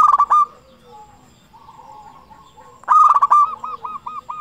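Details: Constantly singing local zebra dove, played as a lure for other doves; a fast burst of coos, a drawn-out soft tone, then a loud rolling phrase ending in crisp repeated coos.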